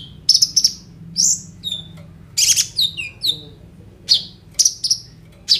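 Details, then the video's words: Kolibri ninja, a sunbird, in full song with stuffed phrases, used to prompt other birds into singing, phone recording: sharp high chirps, clipped buzzes and quick descending whistles in irregular bursts. "KOLIBRI NINJA GACOR FULL ISIAN ROLL TEMBAK, COCOK UNTUK PANCINGAN KONIN BAHAN BIAR BUNYI"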